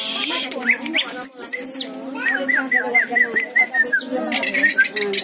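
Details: An Oriental magpie-robin of Aceh origin sings bright, high whistled notes and quick chirping runs, some falling in pitch, with murmuring voices and background noise underneath throughout.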